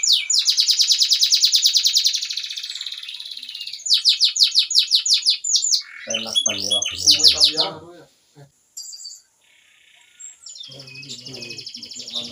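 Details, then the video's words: Canary singing loudly: fast buzzy trills and rapid repeated high notes, shifting between rattling rolls and sweeping phrases, with a quieter stretch and faint background sounds. "burung kenari suara keras"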